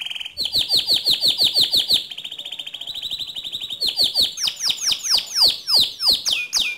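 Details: Steadily singing gacor canary for training other canaries' song: fast repeated downslurred notes, a level rattling trill, then louder high whistles that drop sharply, repeated roughly three times per second.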